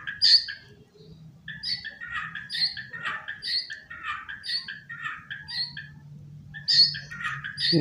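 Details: Singing from a sofa rather than its cage, a tame white-rumped shama pours out loud, jumbled phrases of sharp high whistles and chattering notes, with brief pauses between bursts, against a faint low droning background.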